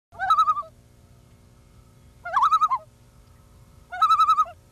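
Common Loon giving three quavering, laughing tremolo bursts, each about half a second of rapid wavering notes, spaced roughly two seconds apart over a low background hum.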